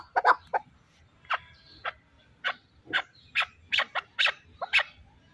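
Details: Harsh, bright single calls from a chukar partridge kept as a fighting bird come irregularly, some in quick pairs, over a low background rumble.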